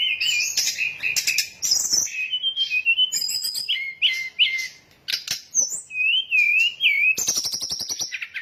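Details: Sooty-headed bulbul lure recording for attracting birds to a trap: busy, varied mix of wavering whistles, short rising and falling slurs and harsh high chirps, with a brief pause midway, then a burst of rapid ticking notes.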